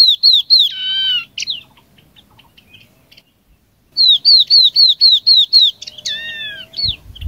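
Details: Chinese hwamei song used as a lure to call in a flock: loud bursts of five to seven clear whistled notes, each slurring down then up, near-identical and rapidly repeated, broken by a drawn-out descending whistle and a short pause.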